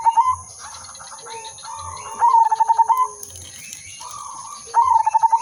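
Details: Zebra dove of the silver udanmas type singing steadily, used as a lure for trapping: loud phrases of quick pulsed coos ending in a drawn-out rolling note, two full phrases with softer distant coos between, over constant high hiss.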